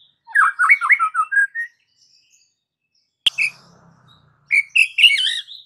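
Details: White-rumped shama singing a burst of tumbling whistled notes, a pause broken by a sharp click and faint low hum, then more loud rising and falling whistles.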